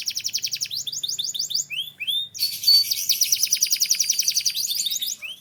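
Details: Canary from Türkiye singing: a rapid chirping trill, a few rising whistles, then a loud buzzy rolling passage of fast repeated notes.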